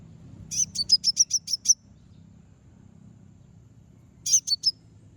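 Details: Konin bird calling to provoke rivals: a quick burst of about eight high, piercing chirps, a pause of over two seconds, then a shorter run of three similar chirps; quiet low hum behind.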